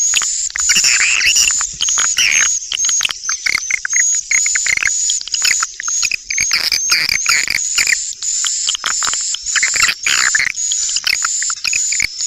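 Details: Swiftlet lure call, continuous shrill twittering and buzzy chirps layered over an unbroken high whistle-like tone, with no quiet gaps.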